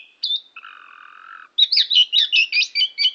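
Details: Oriental magpie-robin chattering song recorded at Tambakagung, Klirong, Kebumen: two drawn-out whistled notes, then a quick string of about ten bright, chirpy, slurred notes at a steady pace.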